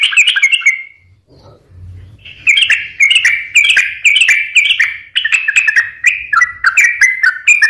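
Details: Yellow-vented bulbul in energetic song, used as a lure to prompt reluctant or stressed caged birds to sing: after a short opening phrase and a pause, rapid bubbly, warbled notes pour out in dense, repeated, slightly descending phrases.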